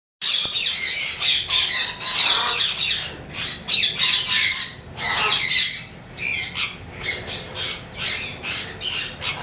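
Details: Lory parrot giving loud, harsh squawks in rapid bursts, grating screeches rising and falling with short gaps, almost continuous for several seconds.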